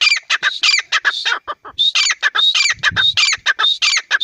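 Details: A partridge gives a loud, continuous run of rasping, chattering notes mixed with thin whistled notes, repeated about one and a half times per second with one brief pause midway.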